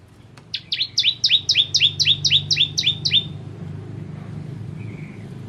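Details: Bar-winged prinia, known as ciblek kristal, delivering a quick run of about eleven high, paired chirps at an even pace, then quiet with low rumbling background. Recorded as tutoring song for cage birds.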